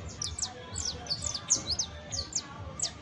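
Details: Saffron finch juvenile, known as canario basto, uttering scattered bright downward-sweeping chirps in small clusters against a soft low hum.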